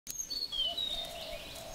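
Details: Tiger Shrike (Lanius tigrinus) in Thailand giving a few thin, high whistled notes, some level and some gently falling, over steady outdoor hiss.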